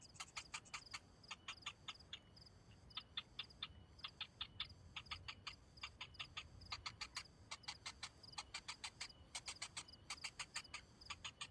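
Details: A hungry young cinnamon bittern begs with crisp, rapid clicks grouped in short volleys separated by brief pauses, each tick carrying a faint whistled high note.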